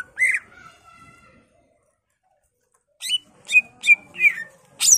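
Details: Greater green leafbird in a cage, its song used to stir other birds: one loud whistle with a fading tone, a quiet gap, then several sharp rising whistled notes.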